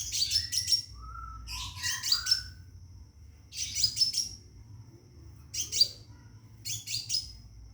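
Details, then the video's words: Scarlet minivet in a cage, calling to attract a female for mating. Tight clusters of piercing high chirps come roughly every one and a half seconds, and a few lower, smooth whistles follow the early bursts. A faint continuous high tone runs underneath. "Burung Seppah Raja Gacor Di Dalam Sangkar panggil betin kawin"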